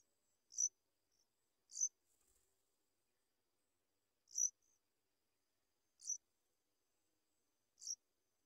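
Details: A sooty chat feeding its young and standing watch over the chick gives five short, very high, sharp chips at uneven one-to-two-second intervals, with faint softer notes between and a quiet background.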